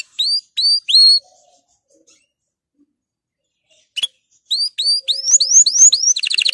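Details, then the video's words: Canary song played to encourage canaries to sing: a few clear upward-curving whistled notes, a pause of nearly three seconds, then a faster series of rising whistles ending in a rapid buzzy trill. "canari chant ساعة لتحفيز الكنار على الغناء"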